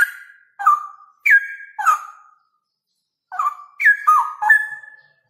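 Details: Male straw-headed bulbul pouring out a loud ropel song of bright whistled notes that jump up and down with liquid slurs, in two dense bursts separated by a silent pause of about a second.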